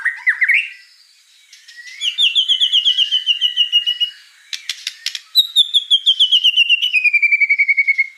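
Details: Energetic gacor song of a white-rumped shama, with quick rising whistles, long rapid trills of repeated notes, a burst of clicks, and a descending whistled trill at the end.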